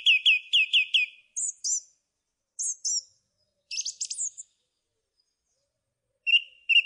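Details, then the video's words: Song thrush sharply repeating a short rising note four times, then high thin doubled phrases and a buzzy flourish, separated by silences, ending with two soft notes. "Thrush bird song"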